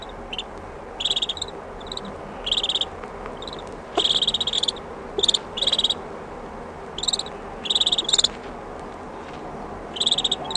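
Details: Close-up Common Shelduck ducklings give high, thin peeping calls in quick bursts of several notes every second or two, over a soft steady hiss, with distant sheep.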